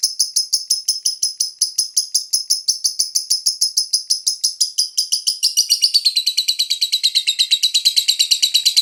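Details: Lovebird singing a tarian-style master pancingan: a long, fast, unbroken chatter of shrill, buzzy, high notes, about three per second. The pitch drops slightly partway through, and the chatter stays steady to the end.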